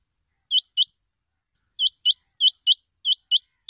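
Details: Rain Quail giving sharp, high, metallic notes in quick pairs, 'whit-whit', repeated about every half second after a short pause, a call used for hunting, 2021; no other sounds.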